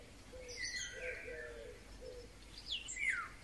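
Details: Golden oriole in May 2020: a rich fluted phrase, then a falling whistled slur near the end, with soft low hoots of another bird underneath.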